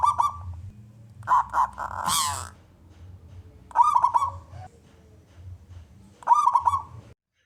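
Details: Zebra dove of local wild stock with a loud voice, sung to coax other doves to call: short trilled cooing phrases repeated about every two and a half seconds, one brief hissing noise, and a faint low hum beneath.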